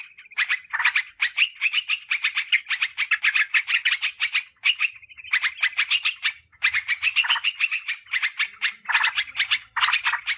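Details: Lure recording of a sooty-headed bulbul, meant to attract wild birds and set an example for caged ones; lively bursts of chirping, chattering notes with short pauses between runs.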